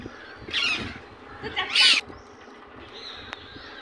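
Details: An Indian ringneck parakeet in natural voice lets out two harsh, noisy screeches about a second apart. Then a thin high whistle-like tone and background hum follow.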